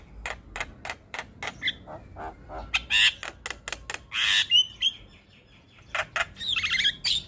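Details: Black-winged starling, white-eyed champion songbird, singing a morning tutor recording of varied imitated phrases: rapid runs of sharp clicking chips, then harsh squawks, buzzy notes and drawn-out whistles.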